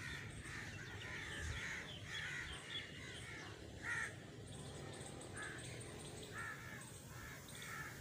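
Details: Several crows cawing, with hoarse, drawn-out calls coming in bursts and one louder caw near the middle, against continuous low-pitched background noise and faint high chirping.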